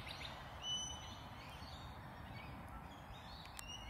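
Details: A male Australian King Parrot in forest in southeast Queensland on a winter day gives a single clear, high-pitched whistle, calling out to a female, over a hissy bush background with faint lorikeet chatter.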